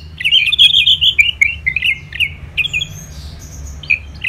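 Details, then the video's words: Orange-headed thrush from Bali in a rapid, chattering series of harsh, scratchy notes at a fairly steady pace, briefly pausing before a few more chirps, with a constant low hum beneath. "ANIS MERAH Gacor"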